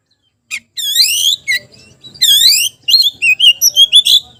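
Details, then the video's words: Oriental magpie-robin singing at a rival to draw out reluctant birds: two long, full upward-sweeping whistles, then a rapid string of bright, evenly spaced chirps. "KICAU KACER MEMANGGIL LAWAN"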